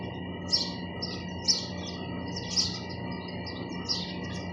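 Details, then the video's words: Sparrows chirping: short bright chirps of sparrow calls come in spaced bursts about once a second, over a steady low hum and faint background noise. "চড়ুই পাখির কিচিরমিচির শব্দ Chirping sound of sparrows"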